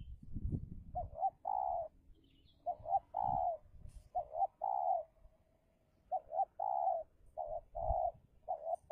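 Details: Spotted dove in Indonesia, a decoy bird luring a wild dove in a fierce territorial contest. It gives repeated three-part coos: two short low notes, then a longer drawn note, about every two seconds, with soft low thumps and rustling behind.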